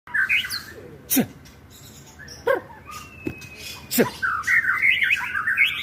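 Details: White-rumped shama song recorded on an Android phone in Lebak, Banten, played to provoke other birds into singing; sharp clicks and snaps, then a rich run of varied whistled and warbling notes at the end.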